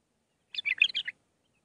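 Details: Bulbul singing the Mandali style of song used to teach young birds: one short, sweet warbled phrase of five or six fluting notes over about half a second.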